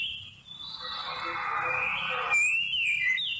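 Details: Song of a Seychelles magpie-robin used to attract birds for trapping, recorded November 2016: long drawn whistles, then a bright rising-and-falling phrase near the end, over a steady rushing background.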